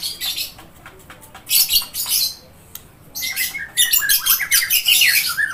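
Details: White-rumped shama (murai batu) song: loud harsh broadband bursts, some stuttered, then short falling whistled notes toward the end, with pauses between phrases.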